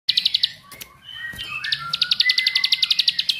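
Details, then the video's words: Bar-winged prinia (ciblek sawah) song used as a lure to get other ciblek singing energetically; fast, high ticking notes repeated about four per second, with lower drawn-out whistles and a few sharp clicks overlapping midway. "Pancingan Jos Terbukti Membuat Ciblek Lain Gacor Ngebrennn"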